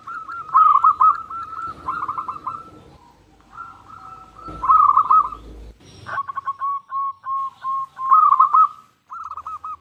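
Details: Local zebra dove singing, used as a lure to draw other zebra doves into song: rapid series of soft, rolling cooing notes in trilled bursts, several phrases separated by brief pauses, with a faint low hum beneath.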